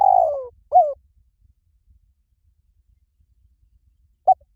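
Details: Fragments of spotted dove cooing for decoy luring: the tail of a long descending coo, a short falling coo, a silent gap, then the first note of a new phrase.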